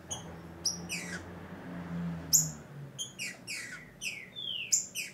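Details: A female green-winged saltator calling for mating in breeding season, played to excite males, gives sharp, high chirps and thin downslurred notes in short bursts every second or two, over a low steady hum.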